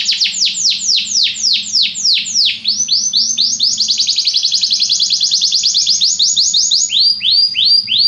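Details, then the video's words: A Belgian canary sings high, rapid tours: a run of sharp downslurred notes, then a sustained buzzy trill, then more quick slurred phrases, over a faint low hum. "Canários belgas atraem o som das canções preguiçosas dos canários"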